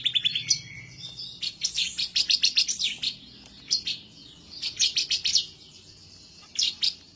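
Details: Spirited bar-winged prinia song aimed at a rival: a quick descending opening, then several groups of fast, piercing high chirps separated by brief gaps.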